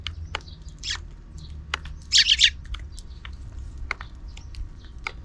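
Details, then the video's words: Afternoon sparrows making noise off-screen near a camera: sparse clicks, then a quick burst of harsh, buzzy chirps around the middle, over low rumbling background noise. "Even in the afternoon, the sparrows are still making noise outside the camera frame."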